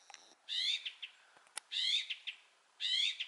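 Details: Thrush singing: three short, bright warbled phrases, each about a third of a second long and followed by a few soft separate notes. The phrases repeat roughly every 1.2 seconds against a quiet background.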